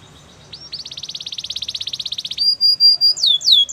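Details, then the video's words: Canary song passage: a rapid high trill rolling for nearly two seconds, followed by sustained clear whistled notes and a couple of sharp downward sweeps. "All the canaries will sing a long | Canary singing birds sounds at its best"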